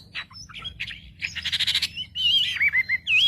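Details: Wambi used to provoke other wambi birds: scattered harsh notes, a rapid buzzy rattle, then a loud wavering whistle that rises and falls several times, with a steady low hum beneath.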